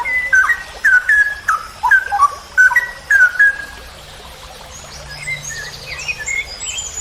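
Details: Masteran training recording of a straw-headed bulbul (cucak rowo) in ropel panjang style: about three seconds of loud, liquid, gurgling whistles, then a quieter stretch of thin, high buzzy trills.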